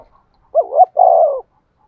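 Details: A single phrase from a decoy spotted dove used to provoke cooing: a quick two-part hoot rising and falling, then a sustained, evenly held coo that drops slightly at its end.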